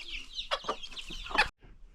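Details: Farm chickens ranging freely with new baby chicks; a few sharp clucks and high peeps, then an abrupt cut to near silence.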